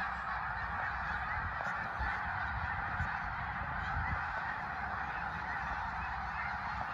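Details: Snow geese in a flock flying over the Eastern Shore, giving a dense, steady clamour of overlapping honking calls with no single voice standing out, continuous for the whole stretch, over low rumbling background noise.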